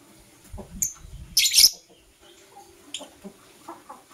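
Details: A lovebird of Blue Opaline or Parblue Euwing Opaline colouring calls in the morning with one loud, grating shriek amid a few faint squeaks, low rustling before it.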